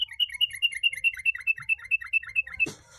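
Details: Hand-raised, tame captive sooty-headed bulbul from Tegal, Indonesia, singing actively in a style that sounds like a long-tailed shrike: a fast, even run of about fourteen bright, slurred whistled notes, roughly seven per second, cut off by a sharp knock.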